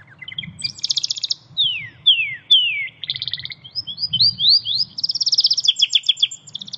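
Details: Canary singing in the wild in Indonesia, a bird known for its shot-like voice and kept for contests: a lively mix of fast buzzy trills, clear downward-sweeping whistles and rapid repeated notes, with a low hum beneath.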